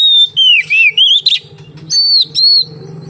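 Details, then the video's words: Oriental magpie-robin lure song: wavering loud whistles at the start, a brief pause, then two long steady high whistles, over a steady low hum. "suara burung kacer untuk penarik / pancingan kacer gacor santai"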